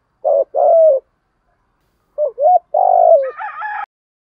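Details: Spotted dove giving a full 'hạp bổi' song with calling, urging and cooing. Short hoots and a long level coo, then a bent note and a long coo that ends in a rougher, higher-pitched tail.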